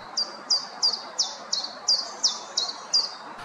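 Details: Common Chiffchaff in Poland, which starts its song right after arriving in very early spring: steady chiff-chaff song of bright, high notes about three a second, alternating slightly in pitch, over a soft background hiss.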